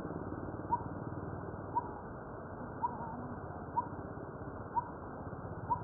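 Coppersmith Barbet giving its metallic, hollow 'tuk' notes, evenly spaced about once a second, over a low background rumble.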